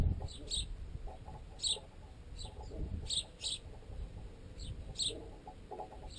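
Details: Sparrows feeding on baguette caught in a tent guy line, including flying juveniles still fed by their parents. Scattered high chirps come in pairs and small clusters, with low thumping peck sounds carried through the tent pole.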